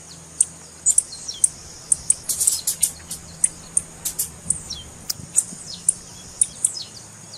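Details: Female blue-black grassquit calling to stimulate a quiet male: rapid high chips bunching into a dense flurry early on, then spacing out, with some downward slurs.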